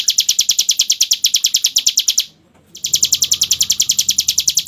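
A hill prinia delivers a rapid, drilling run of high, sharp notes, about eight or nine a second, with a half-second break before the burst resumes.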